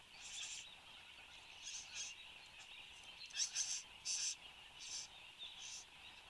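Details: Recorded at a bower in Australia at 8:02 am on 10 January 2015, a displaying satin bowerbird makes scattered short buzzy rasps, a few louder pairs midway, over a steady high-pitched hum.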